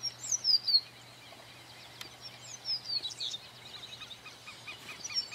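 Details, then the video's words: Double-collared seedeater (Sporophila caerulescens) songs, recorded 2018: high, thin phrases of quick downslurred whistles and jumbled notes in bursts a couple of seconds apart, over a low steady hum. "Cantos Corbatita común Sporophila caerulescens"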